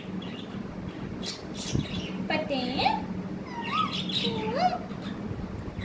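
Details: Quiet stretch, then a parrot utters three tonal, speech-like phrases, each dipping and then rising in pitch, with faint muffled noises and a low steady hum underneath.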